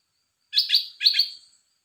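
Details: Red-whiskered bulbul, a caged bird, giving a short bright phrase of two warbled, bubbly double notes about half a second apart, clean against a silent background.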